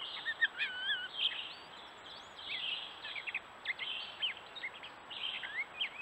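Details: Gray catbird at a stone wall in the woods of Strafford County, New Hampshire: rambling song of squeaky chips, slurred whistles and downward glides, in clusters with short gaps, recorded by trail camera over light hiss.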